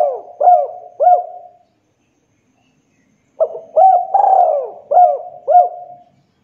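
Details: Spotted dove lure call, used to prompt raw, young and group-kept doves to start singing quickly. Two bursts of low, hollow, stuttering coos, each several looping notes, are separated by nearly two seconds of silence against a clean background.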